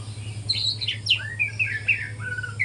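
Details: Morning practice song of a young speckled white-rumped shama: quick sequence of bright whistled notes, some dropping steeply, others level, with a low hum in the background.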